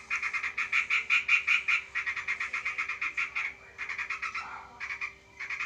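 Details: Sooty-headed bulbul confronting a sparrow in a fight: a fast, rattling series of rough, buzzy notes running almost continuously for three seconds, then broken into shorter chattering bursts, with one brief falling squeal and a constant background hum.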